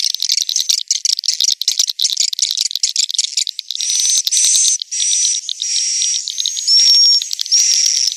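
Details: Swiftlet roosting-lure sound recorded inside a swiftlet house in Indonesia, used to draw swiftlets in to roost: dense bursts of rapid, rattling high chirps in pulsing runs, then longer buzzy trills with thin, clear whistled notes near the end.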